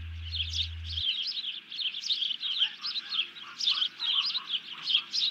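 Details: Bald eagle with a freshly grabbed fish sounding an alert, 31 July 2020; rapid, high chittering chirps stream continuously, with softer lower whistled notes beneath and a brief hum at the start.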